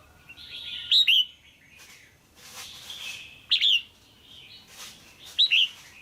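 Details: Caged female red-whiskered bulbul calling to stimulate a male or for pairing: three loud, bright double chirps dropping in pitch, spaced about two seconds apart, with soft warbling notes between.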